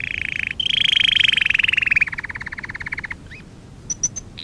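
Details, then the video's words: Canary singing a training song: a dense, fast trill that shifts pitch and slowly slows into a pulsed roll, then a few faint high pips. "Kanarya sesi kanarya eğitim/1 canary sing"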